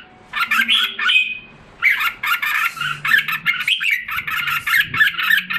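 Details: Caged red-whiskered bulbul in Singapore, recorded in July 2017 while regaining health and form after a drop in condition. It gives a dense run of varied chattering and warbling notes, with short pauses and a faint low hum behind.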